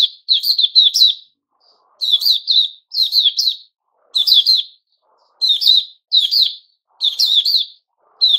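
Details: Caged white-crowned shama in its new-feather season, recorded 6 September 2021: tight bursts of sharp, bright chirps and short harmonic notes, each burst of three to five notes, repeated about once a second with brief silences between, no other sounds.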